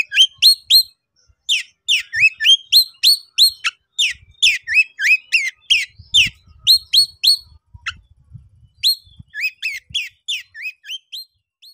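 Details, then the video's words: Agitated Oriental magpie-robin, 'konslet' type, singing to call an opponent into a fight: dense bursts of bright, rising whistled notes and ticks delivered roughly three a second, pausing briefly near the end before resuming, with soft low thuds in the background. "siulan dan kicauan Kacer Konslet emosi tinggi panggil lawan auto ngeplay tarung"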